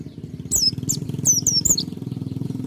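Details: White-eye (pleci dakun) singing in full 'ngalas' style, almost 'nembak': quick high thin downslurred whistled notes in a rapid string, over a steady low engine hum.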